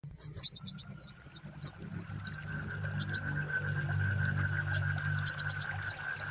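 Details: Kolibri wulung sunbird used as a lure sound, giving rapid runs of sharp, high chirps, each dipping then rising, about three per second, in two bursts separated by a short pause, over a steady low hum and faint insect-like drone.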